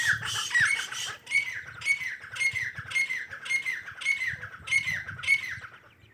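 Francolin chicks give harsh, high, squawky cheeps, each about twice a second in a steady run, over a faint low background hum.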